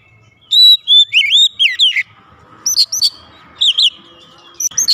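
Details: Oriental magpie-robin (kacer) kept at home, singing loudly in gacor style as it answers: rapid looping whistles and slurred notes that rise and dip, then sharp bright phrases in separate bursts. A faint low hum sits underneath.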